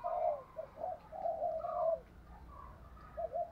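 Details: Decoy spotted dove giving thúc gù style cooing over a noisy, rumbling background: a strong low coo, scattered shorter notes, a long drawn coo, then a faint double coo at the end.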